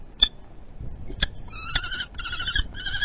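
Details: During a prey exchange at a peregrine falcon nest in Théding, France, 28 April 2020, two sharp clicks precede a run of four harsh, nasal wailing notes that grow more continuous toward the end.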